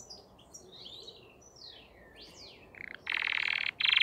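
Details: A crested canary sings soft sliding whistled notes that rise and fall, then ends with loud, dense rolling trills.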